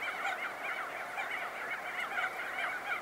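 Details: Many crested auklets call at close range while leaving their burrows, a steady throng of bright, wavering honks piling over one another without pause.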